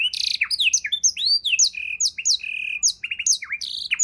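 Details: Rich canary song for tutoring songbirds: a stream of high sweeping whistles, downward slurs and short rising notes, with a few drawn-out whistled tones, varied and continuous throughout.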